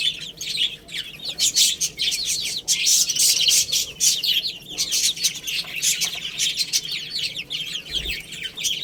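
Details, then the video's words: Chicks playing and eating: a continuous flock chatter of piping, down-slurred peeps, rising and falling in intensity, amid constant pecking clicks and scratches. "Cute Little Chicks Chirping Sounds| Baby Chicken Playing and Eating"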